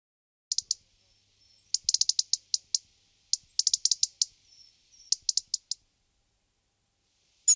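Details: European robin recorded in Guadalajara, Spain, in February 2010: scattered bursts of short, high, sharp chirping notes, some in quick clusters, others spaced apart, with a faint thin whistle between phrases.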